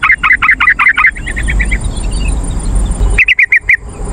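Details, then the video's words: Yellow-vented bulbul lure call for attracting wild birds. Opens with a fast run of rich chattering notes that fades into softer ones, then a quiet gap of hiss before another crisp burst of six notes. "PANCINGAN BURUNG TRUCUKAN"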